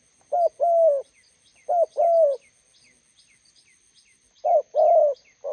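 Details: Roadside spotted dove, a decoy meeting a wild bird, giving three paired coos, short then long, with a long silent gap before the last, and soft repeated high ticks throughout.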